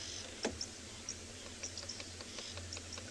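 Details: On a chilly South African morning safari on 25 June 2020, a woodpecker pecks above a resting leopard with sharp, dry knocks at an uneven pace, roughly one or two each second, over a steady low engine hum.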